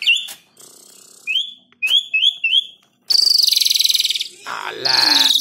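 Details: Asian pied starling singing as a lure for other birds; three or four short rising whistled notes repeated, followed by a harsh, buzzy rasping passage.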